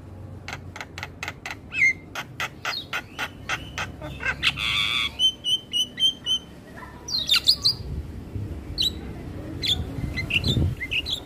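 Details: Morning Javan myna song intended as a tutor for young mynas: a steady run of sharp clicks roughly every half second, a harsh burst, a string of short whistled notes, then squeaky rising calls over background hum.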